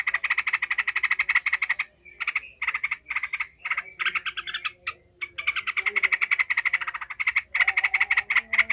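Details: Yellow-vented bulbul (Pycnonotus goiavier), agitated and aggressive, gives long bursts of rapid, harsh mid-pitched chattering, fast and steady, broken by brief pauses between runs.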